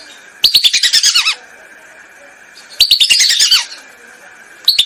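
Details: Lesser whistling duck calls used as a hunting lure: two loud bursts of rapid, twittering whistled notes, each about a second long and falling in pitch at the end, separated by a quiet pause, with a third burst starting at the close.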